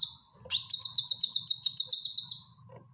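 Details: Training song of a caged cucak kinoy bulbul, a sharp upward swoop leading into a fast, steady train of about fifteen high ringing notes held on one pitch before fading.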